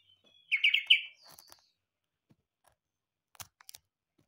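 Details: Yellow-vented bulbul singing in a manner said to be like a green leafbird: a short, rapid run of four bright, gurgling notes, then softer fading chatter and occasional clicks in a quiet room.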